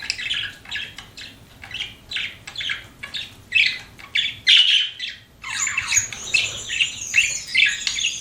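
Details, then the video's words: Pet budgies give a series of short scratchy chirps about twice a second against faint background hum, then break into a longer, louder buzzy warble. "CUTE PET BUDGIES CHIRPING"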